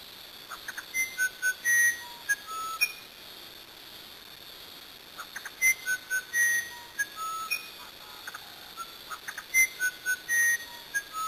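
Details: Brazilian musician wren singing repeated phrases of flute-like whistles, some held, some quick, at differing pitches, joined by clicking notes, with phrases separated by short silences.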